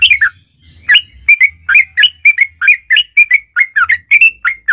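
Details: Yellow-vented bulbul singing 'ropel panjang' style, a lure to make other bulbuls sing: bubbly slurred chirps and short whistled notes about two or three per second, with intermittent low droning hum beneath.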